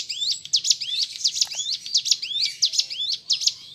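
A prinia sings a fast, high, chattering series of sharp upswept chirps and trills, tumbling over one another about every half second, with no other sounds.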